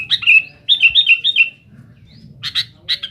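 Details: Sooty-headed bulbul singing noisily to press rival birds: a few quick downslurred whistled notes run together, a pause, then sharp clipped chirps; faint low hum underneath.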